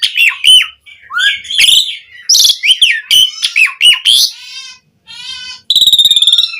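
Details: Asian pied starling giving varied energetic song for tutoring other starlings: rapid harsh chatter and falling whistles, a brief gap, a softer buzzy passage, then a loud rattling trill near the end.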